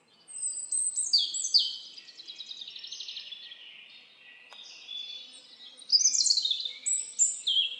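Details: Birds in a forest sing long, fast twittering trills that sweep downward, soften in the middle, then swell again into bright, rapid warbling.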